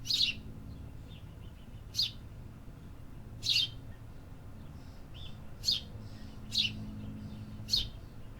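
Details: Urban birdsong made of seven sharp, high chirps at irregular intervals, with a few softer, fainter notes between them, set against a low city hum.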